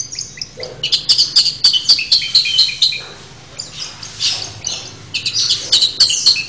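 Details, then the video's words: A long-tailed shrike pours out a busy, high-pitched song of chattering, squeaky and scratchy notes. Quick bursts alternate with brief pauses, about four notes per second. "cendet untulan"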